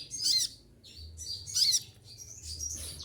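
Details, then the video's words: Olive-backed sunbird singing during its moult, kept caged: three shrill, high twittering bursts, the last one longer and more blurred, over a faint low rumble. "konin lagi mabung bulu rontok semua tetap gacor"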